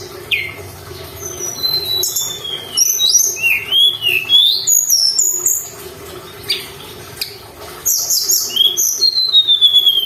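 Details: Energetic mountain tailorbird song meant to excite birds into singing. Bright, high whistled notes in fast bursts of rising and falling slurs, with brief gaps between phrases and a thin sustained whistle at the end.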